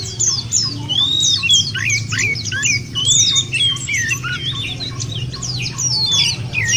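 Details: White-eye (pleci) song played as a nature-therapy lure to make home-kept white-eyes sing: dense, high, rapid twittering of quick rising and falling whistled notes, continuous over a faint low hum.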